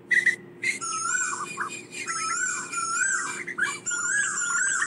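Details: Asian koel calling its flock with long, clear, wavering whistles that rise and dip, mixed with a few short squeaky notes and a constant faint low hum.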